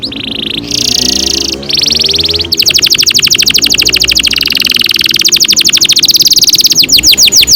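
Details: Canary with a long rolled song, used as a lure for young canaries: buzzy notes and a long rapid rolling trill, with low tonal sounds like music underneath.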